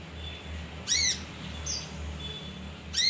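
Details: Male leafbird (kinoi) recorded as a lure for other birds: two bright, arched chirps rising then falling, about two seconds apart, over a low steady hum.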